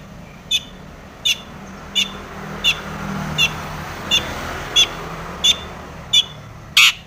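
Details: Long-tailed shrike in full song with imitated fill, used to prompt other shrikes to sing: short sharp high notes repeated evenly, about every 0.7 seconds, above continuous low vehicle noise.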